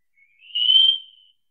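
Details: Wallcreeper song note: one thin, high, drawn-out whistle lasting about a second that starts soft, rises a little, swells, then fades. No background sounds.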